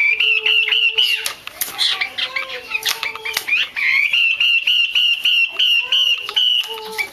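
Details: Chinese hwamei female, kept by bird keepers to stimulate males to sing, giving loud varied phrases of repeated whistled notes, some sliding and rising, with sustained whistles and rapid chattering notes between them.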